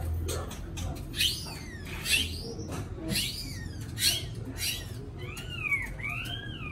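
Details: A captive white-rumped shama sings indoors, rich slurred whistles that swoop up and down, in phrases about a second apart over a low hum.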